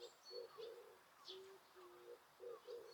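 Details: Birdsong in Osaka Castle Park, Japan, at a time with no people, noise reduction applied: soft paired cooing notes in short bursts, overlaid by sharp high chirps and brief thin whistles.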